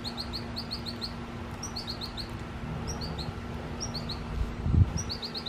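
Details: High, sweet chirping of an American goldfinch in a tree near water, given in clusters of three to five rapid notes about every second, with a soft thump near the end.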